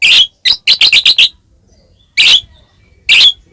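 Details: White-rumped shama in a cage giving provoking song: a rapid stutter of harsh, buzzy notes, then two isolated loud rasping bursts after pauses.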